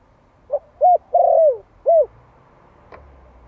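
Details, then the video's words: One-year-old Malay spotted dove male cooing to lure others, used as a decoy bird: short soft coo, two arched coos, a long drawn-out descending coo, then another arched coo, over low steady background hum. "Tiếng chim cu gáy Malai kích bổi - Thanh niên Malai 1 năm tuổi gáy gọi"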